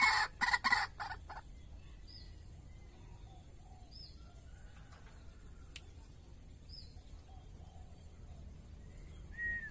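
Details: A one-year-old pet White-breasted Waterhen, increasingly vocal, opens with a quick series of loud, harsh, croaking notes, then faint chirps follow.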